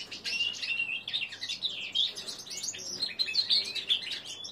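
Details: Three-month-old male linnet × canary hybrid practising its developing song. A continuous, rambling high warble blends buzzy notes, quick trills and wavering whistled slides without a break.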